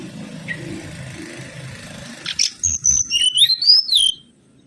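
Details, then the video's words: Mangrove whistler song used as a lure: a fast series of bright notes leads into a long, rising and falling whistled phrase that ends abruptly, over low background hum. "PANCINGAN SUWARA💯‼️ BURUNG KANCILAN BAKAU"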